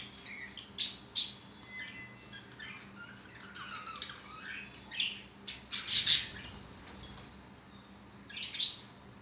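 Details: Pet budgerigars, including a yellow one, singing while playing on a swing; busy high-pitched chattering warble mixed with scratchy squawks and sharp chirps, loudest bursts near the start and again around six seconds, in a quiet room.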